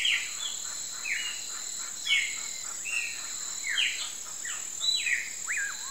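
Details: Common pauraque singing at sunset. Repeated slurred whistles, several sharply falling and some rising then dropping, spaced about every half second. A continuous high insect drone runs underneath.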